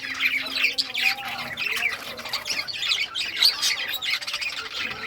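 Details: Several rare-coloured budgies chattering as they play with toys, a busy stream of scratchy warbles and brief high chirps overlapping without pause.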